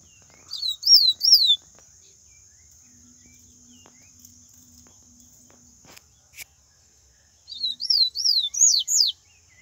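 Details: Papa-capim (yellow-bellied seedeater) in the wild, 'baiano' song: two bursts of bright, high, slurred whistles, three notes first, then a longer run of five rising-falling notes, with a steady faint high hiss and a single click between.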